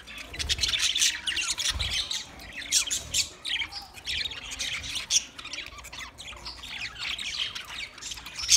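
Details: Twenty pairs of budgerigars chirping together: a dense, continuous chatter of overlapping sharp squawks, warbles and short high chirps, with loud bursts every second or so and no pause.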